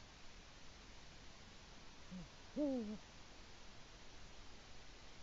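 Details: Male Eurasian eagle-owl (Bubo bubo) at a nest in Latvia, around 6:22 am on 5 March 2018, calling for his mate while doing nest work; one deep two-part hoot, a faint low note then a louder falling 'hoo', over steady hiss.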